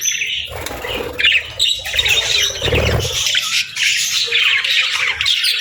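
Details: Budgerigar family with chicks; harsh squawks and high chirps from several birds overlap, with a louder burst in the middle and quieter chatter after.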